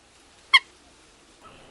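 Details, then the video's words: A Common Gallinule, a marsh bird of cattails, gives a single short, sharp, nasal note, followed by quiet with a faint rustle at the end. "Bird Sounds - Common Gallinule"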